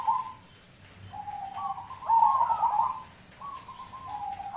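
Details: Local zebra dove singing as lure audio for other birds: a brief trill, a gliding coo, then a loud rolling warbled phrase, ending with softer stepped coos.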